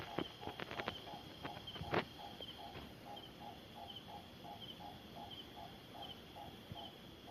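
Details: Nightjar giving a deep-toned call: a steady run of short, low knocking notes repeated several times a second beneath a constant high insect-like drone, with a few sharp clicks and rustles in the first two seconds.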